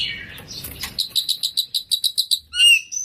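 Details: Oriental magpie-robin (kacer) singing gacor with full isian: after a second of low rumbling noise, a quick series of about a dozen sharp chipping notes follows, then a brief bright rising whistle.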